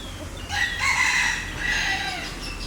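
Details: Loud, ringing call of a green peafowl, harsh and nasal, in two strong pulses over under three seconds, with faint low hum behind.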